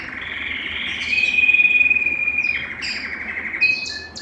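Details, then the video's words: Song of a Belgian canary meant to warm up males and bring females into breeding condition: a long, pure, level whistled note held over a second, then scattered sharp chips and another brief whistle. "Canto Para Esquentar Canário Belga e Foguear as Fêmeas"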